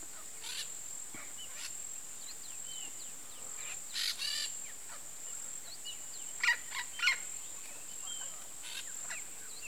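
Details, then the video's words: Peach-fronted parakeet pair courting at Parque das Nações Indígenas, Campo Grande, Mato Grosso do Sul: harsh, raspy screeching bursts near the middle and again in a quick double near the end, over a steady high insect-like hiss and faint chirps of other birds. "Aratinga-estrela, eriquitos rei namorando, Eupsittula aurea, Peach-fronted Parakeet"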